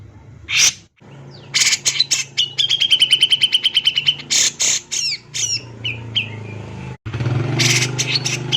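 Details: Male grey-cheeked bulbul (cucak jenggot) singing energetically, a lure recording: harsh bursts, then a rapid string of about twenty sharp repeated notes near one pitch, more rasping bursts and scratchy notes over a steady low hum.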